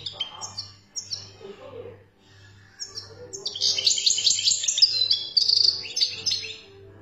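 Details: Wild European goldfinch from Algeria: after a few thin high notes, a dense, rapid twittering song of bright trills and buzzy chatter fills the second half, over a pulsing low hum and faint voices.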